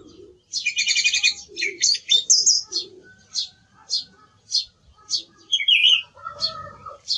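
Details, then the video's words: Song thrush opening with a rapid rattling trill, then single sharp high notes roughly every half second, and a soft low sound underneath. "Sonido del Zorzal Comun - Sturz cantator - TURDUS PHILOMELOS"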